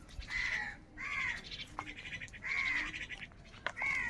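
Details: Crows fighting for food, giving harsh caws with a strong banded tone, in three long bursts and a final one, each lasting about half a second.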